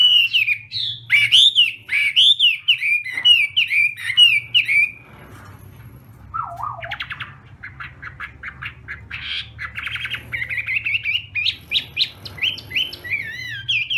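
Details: Chinese hwamei contest song during morning voice practice, opening with bright looping whistles, then a short pause, a low slurred note, rapid clipped notes, and a return to fluting rising and falling whistled phrases.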